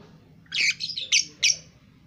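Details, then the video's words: Young lovebird, two months old, doing ngekek: three sharp, squawky, high bursts in quick succession within about a second, over a faint low background hum. "Love Bird umur 2 Bulan Sudah Ngekek"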